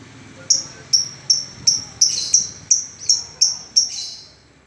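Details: Lovebird giving long 'ngetik' (typing) chatter: a steady run of about ten sharp, very high ticking chirps, spaced roughly two to three per second, over a faint low background hum.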